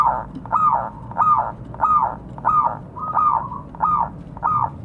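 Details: Local zebra dove calling to companions: a steady run of short arched cooing notes, about one and a half per second, evenly spaced over a low background hum.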